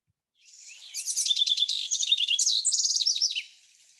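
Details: House Wren song played as an example of a very complex song: a dense, bubbling jumble of rapid high chattering trills and buzzy notes, changing pitch constantly, about three seconds long.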